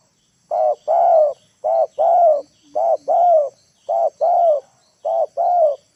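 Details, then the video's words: Spotted dove lure calling to bring wild birds to the ground, cooing in steady paired notes, a brief coo followed by a longer slurred coo, five pairs repeated about every 1.2 seconds. "TEKUKUR PIKAT NEKAN,AGAR BURUNG LIAR TURUN TANAH"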